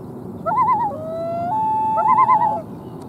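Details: Common loon at Lake Massabesic, New Hampshire, with twin chicks aged 2-8 days, taped from a kayak: a wavering tremolo, a sustained rising wail, then another quavering tremolo run, all over a soft low background hum.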